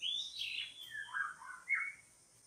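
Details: White-rumped shama sings during bird trapping, delivering clear whistled phrases that slide from high to lower pitch, then ends on a short bright rising note. The background is otherwise quiet.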